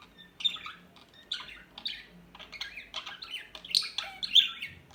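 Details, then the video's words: Small birds give a quiet medley of scratchy chirps and harsher squawks in irregular bursts, some notes sliding down, with a faint low hum beneath. "صوت العصافير الهادئة Bird sounds"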